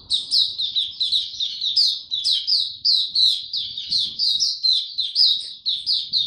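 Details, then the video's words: Maturing song of a young white-eye kept in a cage, 9 February 2022: bright, high twittering phrases of quick slurred notes, strongly pulsed and repeated roughly twice a second, over a very quiet background. "Mata Puteh"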